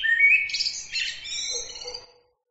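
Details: Short burst of bird song: a rising whistle, then rapid chirps and ringing trilled notes that fade out after about two seconds.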